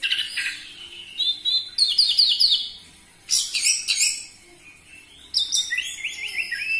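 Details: Orange-headed thrush singing loudly as a lure for captive birds: varied high phrases of warbled, slurred notes and quick trills, delivered in three separate bursts with brief quiet gaps.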